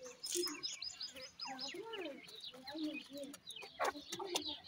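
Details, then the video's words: Young grey francolin chicks trade clear whistled peeps, many downslurred or arched notes in quick succession, several birds overlapping over a soft background hiss. "pheasant chicks talk,baby partridge are big great,titur k bachay"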